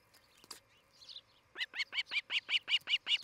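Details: Osprey at a nest in Charlo, Montana, one of a pair sharing the treetops with a Great Horned Owl family, morning of 11 July 2018: after a quiet start, a run of sharp, high whistled chirps repeated about two and a half times a second.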